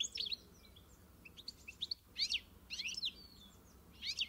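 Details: Goldfinch singing faintly: scattered high tinkling twitters and short chirps with brief gaps, a few brighter trilled notes standing out.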